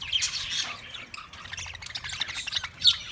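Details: Australian parrots recorded March 15, 2024, chattering in a harsh, scratchy jumble of squawks and chirps, with several birds calling over one another at once.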